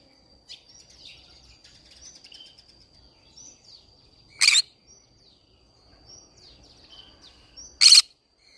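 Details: Green-cheeked conure singing amid a flower garden. Two loud, harsh squawks spaced about three seconds apart stand out over faint twittering of other small birds and a thin steady high tone.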